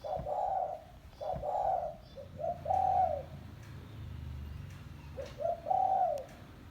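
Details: Spotted dove, a village bird, used as a lure call for trapping doves: low cooing phrases of two short notes then a longer drawn coo, repeated several times, with a low hum underneath.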